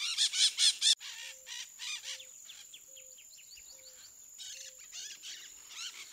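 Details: Blue-throated macaws, critically endangered, at a nest-box site where nine chicks fledged this year: four harsh, raspy squawks open, followed by softer small-bird chirps, a steady high whine, and a repeated low, pure whistle.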